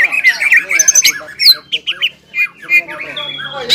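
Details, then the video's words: Captive greater green leafbird singing in the ngobra and jamtrok styles, stirred by arousal: quick slurred whistles and short chattering notes tumble together, then brief separated chips, with a squeaky high note near the end. "CUCAK IJO GACOR INI NGOBRA DAN JAMTROK SUARA GACORNYA BIKIN CUCAK IJO MANA PUN EMOSI"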